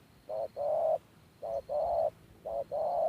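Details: A decoy spotted dove on the trapping ground gives three quick coo phrases, each a short low note followed by a longer, slightly wavering coo, spaced about a second apart against faint background hiss.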